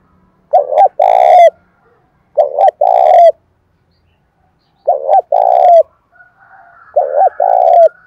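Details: A spotted dove stirred to fight in the rainy seventh month, calling to provoke wild birds: four steady low coo phrases roughly every two seconds, each a double stutter then a sustained coo ending in a downward slur.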